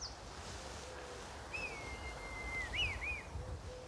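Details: Two red kites circle above a garden; one gives a thin, drawn-out whistle sliding slowly downward, then a quick wavering trill of rising and falling notes, over a low outdoor rumble.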